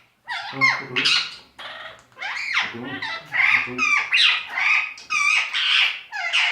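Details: Indian talking parrot mimicking speech: a run of rapid, squawky, voice-like syllables with wavering pitch, rising and falling, phrase after phrase with short pauses between.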